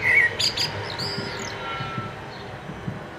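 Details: Eurasian blackbird singing in a front garden by a street, 29 March 2014, its song dominating street noise; brief fluty whistle followed by high squeaky twitter, faint traffic hum beneath.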